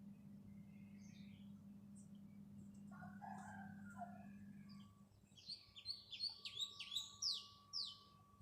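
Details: House sparrow chirping: after a few soft notes, a quick run of loud, sharp, downslurred chirps repeated several times a second, over a steady low rumble of background noise.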